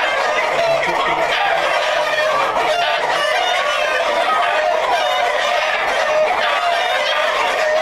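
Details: Black Jersey Giant chickens in a breeding flock raised for hatching eggs: dense, continuous clucking and cackling from many hens and roosters, with a faint low hum underneath.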